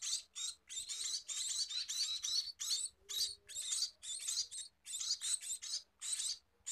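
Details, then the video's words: Scaly-breasted munia being fed, with dense, scratchy high-pitched chirps packed closely in irregular bursts, barely pausing over nearly seven seconds. "Meloloh Burung Emprit Peking!!"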